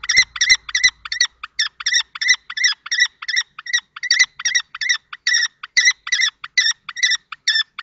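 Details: Nest-box confrontation between a young and an older male common kestrel in Théding, France, 20 March 2024: an even series of piercing repeated notes, roughly three each second, continuing throughout.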